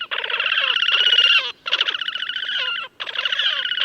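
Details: Wild Slavonian grebe recorded in May 2024 at Gavieze, Latvia: three long, loud, rapidly trilled phrases of about a second and a half each, buzzy and rippling, with short gaps between and downward-slurred notes inside.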